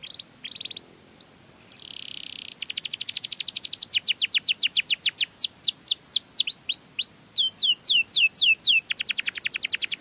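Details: Canary song used to lure other canaries: a few short buzzy notes, then long fast trills of rapid repeated sweeping notes, changing into slower looping phrases before a final quick trill.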